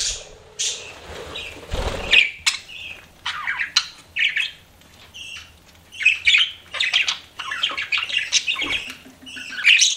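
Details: Pet budgies chatter in choppy bursts of harsh squawks, clicks and thin whistled chirps, broken by brief quiet gaps, with a dull bump partway through.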